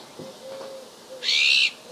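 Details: An azure-winged magpie in Ria Formosa Natural Park, southern Portugal, in winter on 31 December 2011, gives one harsh, rasping, slightly rising call lasting about half a second, preceded by faint, low, hooting tones.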